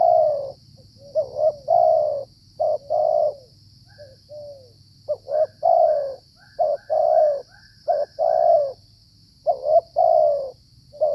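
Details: A wild spotted dove, likely a territorial male, calling in the rainy season while being lured for trapping, gives low, hollow coos in short bursts of two or three notes, repeated, with a faint steady high hiss behind.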